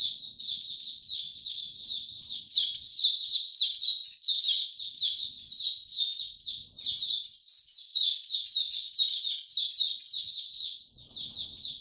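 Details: White-eye in warm, very humid weather gives a long, lively song of rapid high twitters and chirps, rising in loudness after the opening seconds and running almost without pause.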